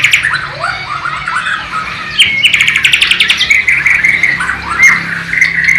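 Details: Bornean white-rumped shama singing its learned Sikatan londo or nightingale imitation in East Kalimantan. Soft rising warbles and slurred whistles build into a loud rapid trill, then continue as fluid whistled phrases.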